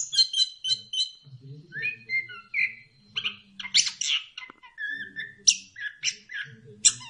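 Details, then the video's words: Lure song of an orange-headed thrush (punglor kembang), used to get other birds singing: repeated sharp chirps open a busy run of mixed whistles, buzzy notes and quick rising slurs. "pancingan ampuh! punglor kembang | merangsang burung cepat gacor"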